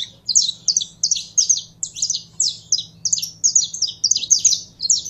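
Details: Saffron finch (canário-da-terra) kept and stimulated to sing: a continuous rapid stream of bright, downslurred high chirps, loud and dense throughout, over faint low hum.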